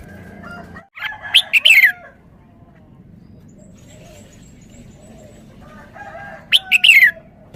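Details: Red-whiskered bulbul singing its sweet three-syllable song twice, bright whistled phrases closing with a falling slur, separated by a long quiet pause with faint soft notes.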